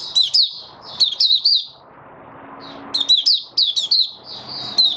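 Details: White-eye song dated 08-01-2022, sung as the bird settles into form: bursts of high, thin, twisting twitters and sharp notes, a pause of about a second, then more rapid chirping, with light background noise.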